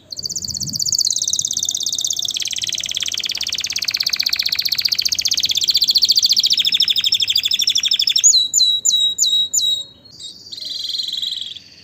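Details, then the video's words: Singing canary delivering an extended fast, ringing trill lasting about eight seconds, followed by a few sweeping repeated notes and a closing high trill, against a quiet background. "اجمل غناء لطائر الكناري تغريد الكناري روعة"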